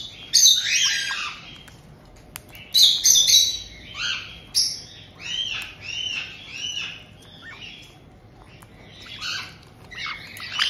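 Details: Captive white-bellied caiques, a resident pair and a newly arrived two-month-old, in Tokachi, Hokkaido, June 2023: sharp piercing squawks, then a series of arched chirping notes repeated quickly, several per second at times.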